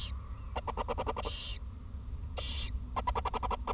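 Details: Owl mother and her first chick at the nest in Eersel in 2018, as she feeds it soft parts of a mouse on its first day. Their typical sounds are quick runs of dry clicks and two short harsh hisses over a steady low hum.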